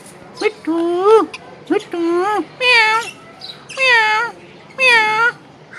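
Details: [8, 'Green parrot talking: five drawn-out, speech-like vocal phrases with a strong harmonic, nasal tone. Each lasts about half a second and is spaced roughly a second apart, over light background hiss.']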